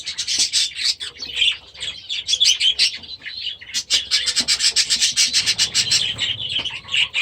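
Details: Young budgerigars, last year's babies now grown, in their new aviary during their first days after release, giving dense bursts of high chirps and scratchy warbles, many birds calling together with rapid clicky notes.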